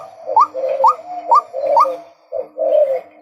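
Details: Series of four harsh, upward-inflected notes at about half-second intervals from a male white-breasted waterhen, followed after a short pause by two lower, grating calls.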